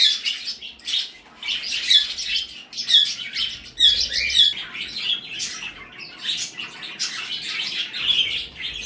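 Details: Pet birds in an indoor bird room give a busy stream of bright, high chirps and short squawks, overlapping in bursts every second or so with little pause.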